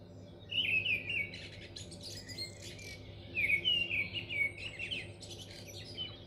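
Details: Mistle thrush singing in North Oxfordshire in May 2020: two short fluting, warbled phrases about three seconds apart, with a steady low rumble of background noise.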